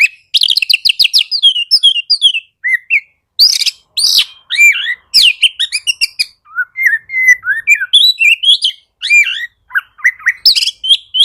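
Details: Loud, fast Oriental magpie-robin song meant to coax lazy magpie-robins into full song: rapid rattling chips open a long unbroken medley of whistled slurs, buzzy trills and mimic-like notes, varying constantly in pitch and tempo.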